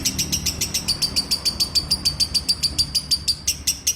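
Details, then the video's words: Lovebird in long ngekek song: a fast, steady string of sharp high chattering notes, about five per second, evenly repeated with little change in pitch, over a faint low background hum. "Love Bird ngekek 2 menit"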